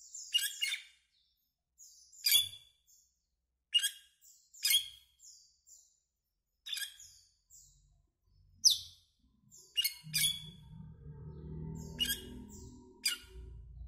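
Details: Asian glossy starling, a greenish black bird, calling with a series of piercing, metallic chips and squeals every second or so, joined late by a low murmur of background noise.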